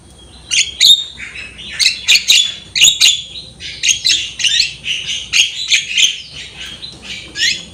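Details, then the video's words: Lively Javan myna song recorded to train untrained birds: harsh scratchy notes alternate with short upward-inflected whistles in a steady, chattering flow. "Masteran jalak kebo gacor full manggut-manggut masteran burung jalak kebo bahan."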